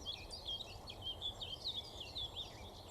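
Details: A Common Whitethroat at Sawbridgeworth Marsh reserve in early May 2020 keeps up a fast, scratchy chatter of high twittering notes, with steady low background rumble beneath.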